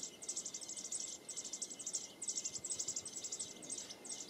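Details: High, insistent begging from American robin chicks at the nest: dense runs of rapid squeaky chirps in uneven bursts, with brief gaps between them, over a faint steady background tone.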